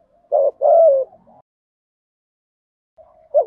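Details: Spotted dove cooing as a 'giọng thổ' lure to make a newly caught bird coo quickly: a short husky note, then a longer coo sliding downward, a soft tail, silence, and the start of another low note.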